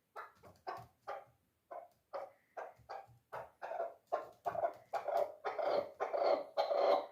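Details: A three-year-old dulan chukar kept for hunting: scattered short clucks that grow steadily faster and louder into a continuous, rolling chuk-chuk series.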